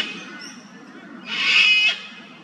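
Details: Sulphur-crested cockatoo, an Australian native bird, screeching while it visits an old dead tree to feed on honey. A single harsh, broad, raspy screech lasts about half a second and stands out above a soft hiss of background.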